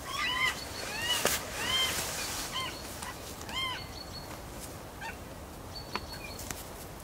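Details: A Northern goshawk pair waiting to mate calls in a series of faint, arched, harmonic wailing notes, several spaced about a second apart, with a few sharp clicks and quiet outdoor background noise.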